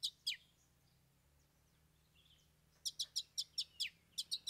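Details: Long-tailed Shrike (cendet) in full song with three fill-in imitations (isian): two sharp high chirps, a pause with faint soft notes, then a quick run of about nine bright, clipped, high-pitched notes in two bursts.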